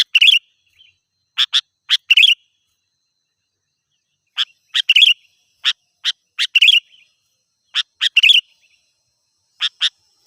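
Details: Sooty-headed bulbul sounds aimed at rousing wild birds: quick clipped chirps in pairs and triplets, with bubbly flourishes, in bursts separated by brief pauses.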